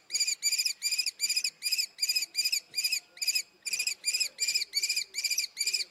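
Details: Common kestrel calling continuously, a long run of sharp, penetrating kee-kee-kee notes at a brisk, fairly even pace with a brief hitch midway.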